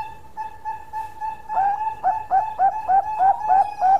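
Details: Perkutut Bangkok, or zebra dove, holding a steady soft hum, then breaking into rapid rhythmic cooing notes, each with a brief rising flick, repeated about three times a second.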